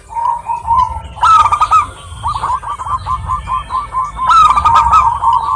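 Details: Female local zebra dove calling to a male in Indonesia: a soft opening coo, then loud rolling bursts and a run of evenly spaced, stuttering coo notes repeated several times a second, over low background rumble.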